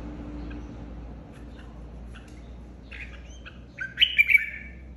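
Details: A caged red-whiskered bulbul flock leader singing in competition: soft chirps and a short trill lead into a loud, rich warbled phrase near the end, over a low hum.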